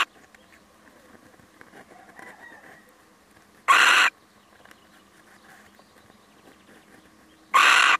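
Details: A male little owl on a brief visit gives two coarse, raspy screeches nearly four seconds apart. Faint low chatter and scratchy noise sit in the background.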